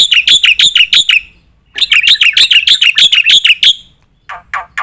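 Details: Black-winged myna in full 'gacor nembak' song, used to train competition birds: quick bursts of loud, ringing notes in two runs, followed by a few short, downward-sliding calls.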